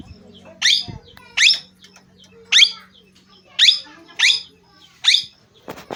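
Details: Parrot making six shrill, rasping, upward-sliding calls at irregular intervals, with a low steady drone and a few faint clicks in the background.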